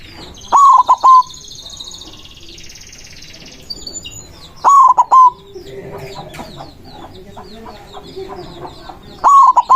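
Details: White zebra dove giving its loud manggung song to summon rivals, a lure for trapping: short cooing phrases of three to four notes, repeated about every four seconds, with thin high chirps and twitters from other birds between.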